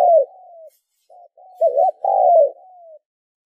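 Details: Spotted dove call used to stimulate and train decoy birds: a slurred coo with a soft drawn-out tail, a brief note, then a quick wavering double note leading into a loud falling coo and a fading trail.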